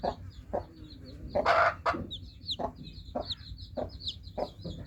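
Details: High downslurred peeps from newly hatched chicks sound over a low background rumble, interrupted early on by a loud, harsh broadband burst and a few dry clicks.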